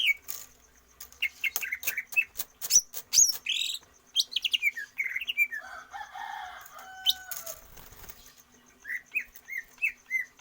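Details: Caged greater green leafbird trained for stamina and longer breath without free-flight exercise: quick chirps and clicks, a jumble of lower harsher notes midway, then a few rising and falling chirps at the close.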